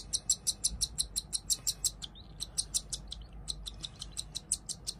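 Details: Two cockatiel chicks begging during hand-feeding, fast high-pitched chirps in a quick series, with a brief pause near the middle before the rapid peeping resumes.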